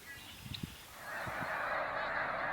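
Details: A large flock of Snow Geese in Canada during April spring migration, leaving the water for feeding fields at sunrise: a few low calls swelling into a dense, continuous chorus of overlapping honks.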